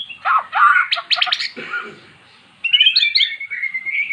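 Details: Magpie-robin, previously silent, singing after being lured with recorded song of its kind. A loud burst of mixed chattering and sharp clicky notes gives way after a pause to a thin, sustained, wavering whistle.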